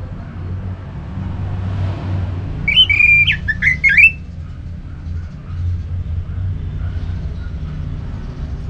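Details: Orange-headed thrush, a kept songbird in North Bali, Indonesia, used to prompt other birds to sing: a brief burst of slurred whistled notes in the middle, over a low steady hum.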